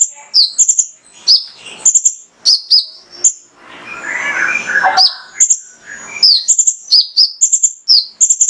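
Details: Lure song of a male mangrove whistler meant to provoke other birds into song: rapid bright high chirps and quick downward slurs in lively bursts, broken midway by a lower rustling, scratchy noise.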